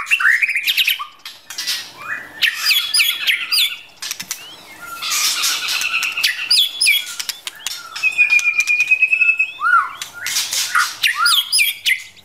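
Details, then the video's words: Wild-type female white-rumped shama urging a male to practise singing: a dense, varied stream of whistles, chatters and rising and falling phrases, including a steady level whistle, mixed with fluttering wingbeats throughout. "Chim chích chòe lửa rừng mái kích trống luyện giọng"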